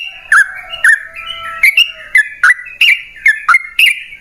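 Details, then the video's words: Yellow-vented bulbul (trucukan) lure song for getting caged birds to sing: separate bright whistled notes, each opening with a sharp click, spaced roughly half a second apart, with faint drawn-out tones underneath. "Pancingan Trucukan PALING AMPUH! Burung Langsung Ngalas & Nyaut Gacor"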